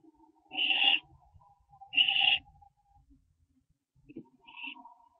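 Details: Barn owls on a nest camera before dawn, 4:07 AM on 15 September 2011, as an owlet branches out: two loud rasping screeches about a second apart, then a softer, shorter one, over a steady low hum.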